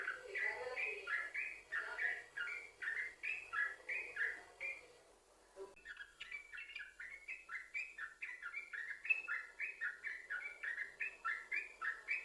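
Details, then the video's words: Continuous 'sambung ropel' song of a yellow-vented bulbul, used to lure other bulbuls to sing; rapid warbling phrases for five seconds, a brief pause, then the rolling stream continues. "Trucukan Gacor, Sambung Ropel,Ini Ampuh Buat Pancingan Trucukan Agar Bunyi"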